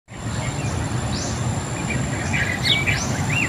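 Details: Bird, recorded outdoors for relaxation: a few scattered short chirps and brief sweeping notes, some rising, heard over a steady low rumble resembling distant traffic, with a faint constant high-pitched tone throughout.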